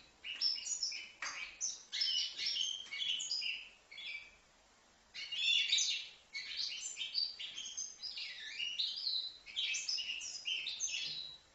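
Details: Young goldfinch, five months old, recorded in Livno, delivering bursts of fast tinkling, twittering song with rising and falling slurs. Three separate runs are divided by short pauses, the longest a silent gap of about a second around the four-second mark.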